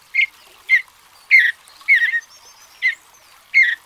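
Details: Mountain bluebird singing: short, burry warbled notes near the upper middle register, six brief phrases spaced roughly every half second to second, over a quiet background.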